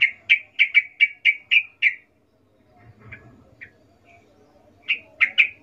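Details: Yellow-vented bulbul recorded in the wild, full of energy: seven crisp, bright notes repeated about every quarter second, a pause with faint chirps and low rustle, then three more sharp notes.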